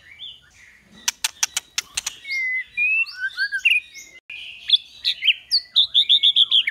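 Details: Song-training recording of a White-rumped shama in the kéo thuốc lào and giọng dây styles: a burst of sharp clicks gives way to varied sliding whistles and ends in a fast, bright, evenly repeated note series.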